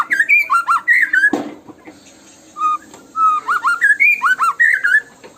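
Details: White-rumped shama giving tembakan song to stimulate other shamas: rapid whistled notes sweeping upward, a sharp click-like knock midway, then a fresh run of fast, rising and falling whistles.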